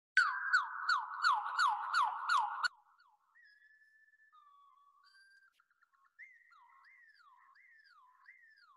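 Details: Pacific (winter) wren song on Protection Island in spring, played slowed down to reveal the notes of a very complex song: a rapid run of repeated descending whistled sweeps with high ticks, then scattered softer slurred and wavering whistles.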